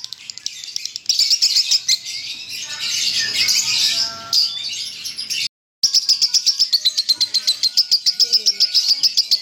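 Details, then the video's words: Lovebird singing in the konslet style known as leher patah: a long, dense, high, buzzy chatter. After a short break comes a fast train of sharp, evenly pulsed notes, several per second. "LOVEBIRD KONSLET GAYA LEHER PATAH"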